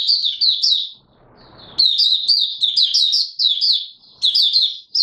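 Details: Oriental white-eye giving 'buka sing' opening song, recorded 24 March 2022: a near-continuous stream of high, rapid twittered notes in short looping phrases, broken by one brief pause with faint background rustle.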